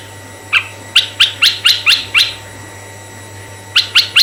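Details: Red-eyed bulbul song, recorded for use as a lure for male and female bulbuls: a row of sharp, quick chirping notes, one burst of about seven, a pause, then three more, over a steady low hum.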